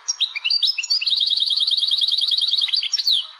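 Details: Algerian European goldfinch, a caged songbird, singing: a fast, even run of bright repeated chirping notes in the middle, framed by twittering trills and sliding whistles.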